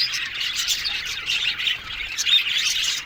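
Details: Aviary colony of Australian budgies, a steady flock chorus of high chirps, squawky notes and quick warbling phrases overlapping throughout.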